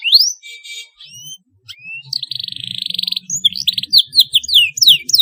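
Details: Canary chirping, used to stimulate young birds learning to sing: high swept whistles, then a fast buzzy trill of rapid repeated notes, followed by quick scattered chirps and upward slurs. A faint low hum lies beneath.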